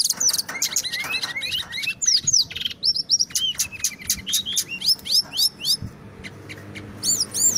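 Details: Loud, tightly packed song of a Brown-chested jungle flycatcher from Indonesia, rolling on without pause: rapid sharp chips and hooked whistles, about four notes a second, mixed with brief rattles and arching high notes near the end.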